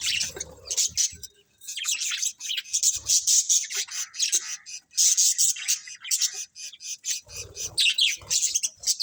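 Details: Budgerigar colony in full chatter: almost unbroken rapid, high, buzzy chirps and squawky warbles pulsing several times a second, with a few low thuds at the start and near the end.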